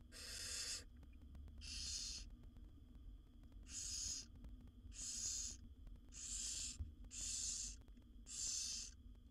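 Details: Barn owl young, seven wild chicks in a nest box, beg while their mother feeds them; breathy, harsh hisses under a second long, a pause after the first two, then five more at a steadier pace.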